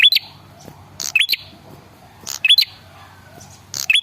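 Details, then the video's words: Lure call of a male red-headed prinia meant to make other birds reply; high chirped phrases with a hooked rising note and dry rattling clicks, repeated four times at steady intervals. "suara pancingan burung prenjak kepala merah jantan_dijamin langsung nyaut"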